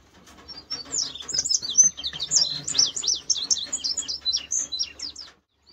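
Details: Indigo bunting singing on a June 8, 2023 morning in West Virginia, shortly after returning for spring, near someone doing quail chores: a long run of high, sweet chirps and slurred notes, many quickly repeated, over faint low background hum.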